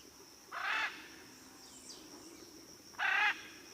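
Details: Blue-and-yellow macaw giving two harsh, raspy squawks about two and a half seconds apart, broad and harmonic, with faint high chirps between and a steady high insect-like hiss throughout.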